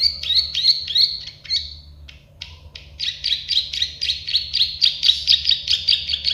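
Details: Plain prinia, local name prenjak sawah or klik-klik bird, in a birdsong training recording; quick buzzy clicking notes in two bursts separated by a brief gap, the second run faster and louder.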